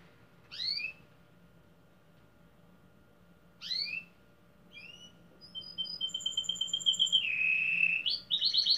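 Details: Competition domestic canary in Pelotas, Rio Grande do Sul, Brazil: two isolated rising chirps several seconds apart, then thin whistled tones leading into a fast pulsed trill and a dipping buzzy phrase.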